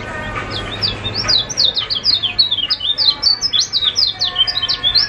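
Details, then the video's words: A Lombok white-eye (kecial kuning) in full song gives a fast, unbroken twitter of high, thin chirps and slurred notes, several each second, over a faint low hum. It is used as a lure to set silent birds singing. "KECIAL KUNING GACOR"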